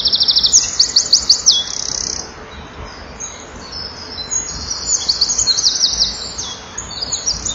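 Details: A male Eurasian wren, filmed by a nest-box camera on 7 June 2012 at 16:57, sings to females nearby: two loud, very high, rapid bursts of ringing trills and chatters, each about two seconds long, with a quiet pause between.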